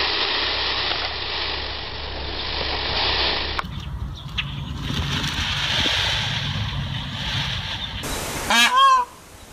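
A peacock gives one loud, nasal, wailing call near the end. Before it comes a long stretch of steady hiss and low engine-like rumble.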